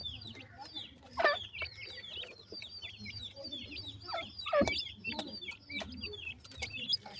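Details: Pheasants feeding, four males with one female: two short, rough clucks about three seconds apart, surrounded by busy high chirping from many small birds and scattered sharp clicks.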